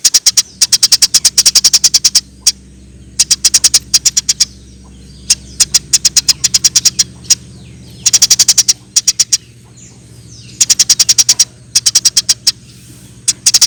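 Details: Eurasian tree sparrow in lively song, recorded as a tutor for cage birds: repeated bursts of sharp, high chirps in runs of five to ten, separated by short gaps, over a steady low mechanical hum.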